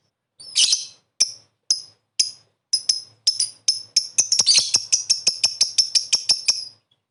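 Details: Lovebird calling to make other birds respond: loud, screechy high chirps that are spaced at first, then speed up into a crowded, rapid run of rasping notes.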